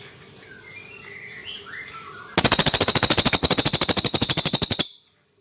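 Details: Crested jay (Platylophus galericulatus), brown form, used by songbird keepers as a tutor bird for its dense rattling delivery: a loud, fast, machine-gun-like rattle of sharp notes lasting over two seconds, after softer background bird chirps.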